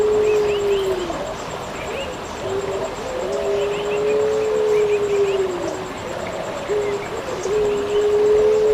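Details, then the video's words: Eurasian collared dove (pelung puter) in a masteran recording for songbird training, giving long, smooth, level coos that dip at the end, repeated in a steady rhythm. Faint chirps from other small birds and a thin high whine sit behind them. "Burung pelung puter suara masteran"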